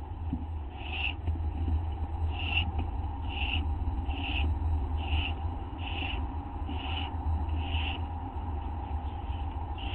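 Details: Owl eating a treat at night, 19 August 2011 at 11:07 PM, with a second owl lingering outside; about nine soft, breathy bursts, evenly repeated roughly once a second, against a steady low-frequency hum.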